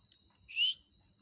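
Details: A pet talking parrot produces one brief rising whistle, pure-toned and sharp, over soft background hum.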